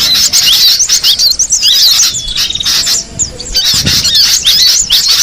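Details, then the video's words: Wild cinereous tit: rapid, high, sliding chirps in thick overlapping bursts, broken midway by a short, steady, thin whistle before the busy twittering resumes. "suara burung gelatik batu di alam bebas"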